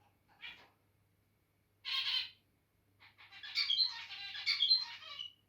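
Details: Pet zebra finch, the big male, singing after territorial behaviour: two nasal beeps, then a rapid buzzy, chattering phrase of clicks and twangy notes lasting two seconds, with faint low hum behind.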